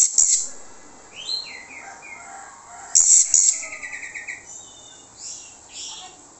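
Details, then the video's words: Orange-headed thrush song used as a lure for other birds: short falling whistled phrases and a burst of scratchy, harsh twittering, over steady background hiss. "PANCINGAN ANIS MERAH MANTAP YANG LAIN LANGSUNG NYAUT"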